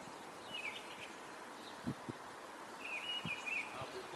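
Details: Nuthatch at the nest, Pedras Salgadas park, Vila Real, 2 April, gives two brief bursts of clear whistled notes. Between them come a couple of dull knocks, over a constant noisy backdrop.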